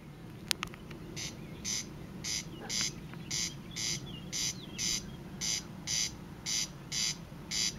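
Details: Corn crake recorded in May, giving dry, rasping double notes, crex-crex, about twice a second, over a steady high insect-like hiss and low background rumble.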